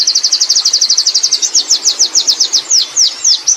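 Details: Wild Oriental white-eye singing in the ngerol rolling style: a rapid string of high, thin, even chirps that shifts midway into slower, sweeping downslurred notes, all pitched very high with a quiet background.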